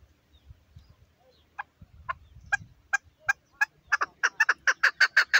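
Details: Female chukar partridge calling: widely spaced clucking notes that speed up and grow louder into a rapid, rhythmic chuck series, with faint low rumbling noise early on.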